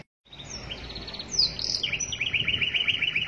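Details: Canary master song for training birds, AFS style: after a brief silence, a soft rattling trill leads into a loud high whistle and a rapid rolling trill repeated many times per second.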